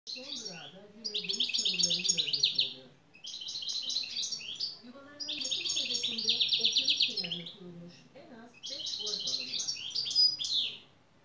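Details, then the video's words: A European goldfinch sings rapid, liquid twittering bursts of tinkling notes, several seconds each with brief pauses, while a low murmur of voices runs underneath. "Saka kuşu güzel ötüm"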